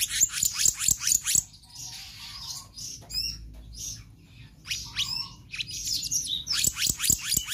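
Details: Konslet-style magpie-robin song, full of variations: rapid high ticking notes open and close the passage, with scratchy warbled phrases and short whistles in between.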